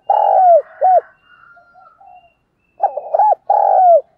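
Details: Morning calls of a decoy spotted dove: a long mellow falling coo and a short note, faint low murmurs in between, then a stuttered phrase closing in another drawn-out descending coo.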